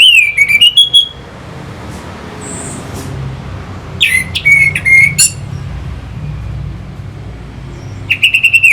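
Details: Lure song of an Orange-headed thrush for firing up fighting birds: loud dipping whistled phrases with rapid harsh ticks, repeated three times between quiet gaps.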